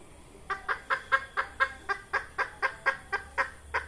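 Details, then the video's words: Red junglefowl hen clucking steadily, a call for luring junglefowl into traps: about fifteen short, nasal clucks at roughly two per second, even in loudness, with a faint low hum behind. "Tiếng gà mái rừng"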